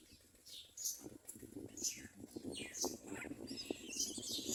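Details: Common myna chicks at the nest give harsh, hissing high-pitched bursts, each about half a second long, roughly once a second, over a steady low rustling and knocking.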